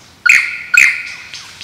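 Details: Male lyrebird dancing to attract a mate, giving two loud, ringing whistled notes about half a second apart, each a sharp onset sliding into a sustained bright tone, with a quieter trailing warble.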